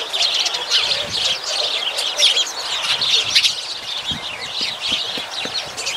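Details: Steady chattering of many sparrows, high clipped chirps packed closely and overlapping throughout, with faint low ticking sounds underneath.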